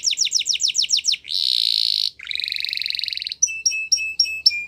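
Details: Spanish Timbrado canary singing fast repeated upslurred notes, two long buzzy trills, then a string of clipped paired chips.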